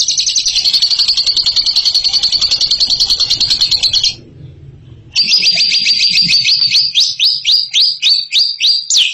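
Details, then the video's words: Bird delivering a ngekek song: a four-second high, buzzy trill of rapid repeated notes, a brief pause, then another fast trill slowing into separate sharp downslurred chips. "INI DIA JAGONYA NGEKEK"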